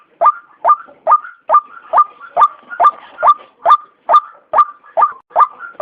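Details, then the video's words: White-breasted waterhen call kept as a trapping lure: a long, very regular series of harsh croaks, roughly two per second, each note clipped and rasping with a short level tail, no other sounds. "suara ruak ruak terbaik"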